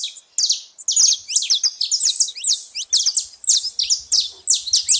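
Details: Saffron finches at a feeding spot, making a lot of noise: dense, rapid, high-pitched chirps and short sliding notes overlapping continuously, with bright repeated phrases and almost no pauses or background sounds.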